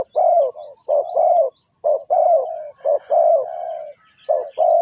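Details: Spotted dove calling, linked to bird trapping: low coo phrases mixing short notes with longer sustained coos, repeated after brief gaps. Soft high-pitched chirps of other birds above.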